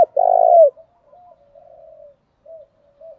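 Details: Spotted doves calling to provoke rivals into cooing. One long, throaty, hollow note opens the clip, followed by a few faint, soft, short coos.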